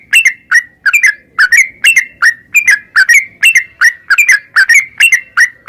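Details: Caged yellow-vented bulbul giving 'narung ropel' calls to encourage other caged birds to sing; loud clear whistled notes in twos and threes, sliding down in pitch, repeated steadily with no pause.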